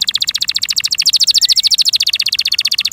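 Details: Steady, rapid trill from a kept canary, a rolling chain of high notes at about twelve per second, evenly paced throughout.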